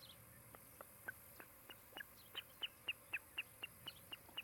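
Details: Osprey at its nest near Charlo, Montana, one of a breeding pair, recorded by a nest camera on a July 16, 2018 afternoon: a run of short, sharp whistled notes repeated about four times a second, growing louder, over a steady low hum.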